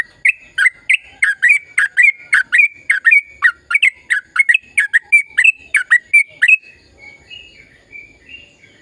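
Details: Sooty-headed bulbul delivering a long gacor ropel phrase, used to encourage quiet bulbuls to sing: about six seconds of fast, regular, loud chirping whistles, then softer, fading warbled notes.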